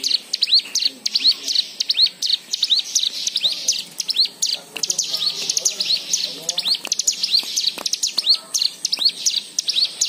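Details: White-eye lure song with varied filler phrases, meant to make other white-eyes sing: sustained, busy high twittering of chips and rising whistles, with soft lower warbling notes underneath.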